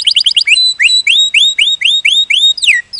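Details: Canary (Serinus canaria), timbrado-type song used for training canaries: a fast, bright trill, then a run of loud, rising whistled notes repeated about three times a second.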